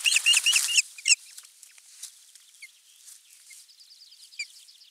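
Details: Osprey at a camera-watched nest, 23 June 2020, morning fish delivery of a half-kilo crucian carp. A few loud, harsh whistled notes in the first second, followed by faint distant chirps and quiet background.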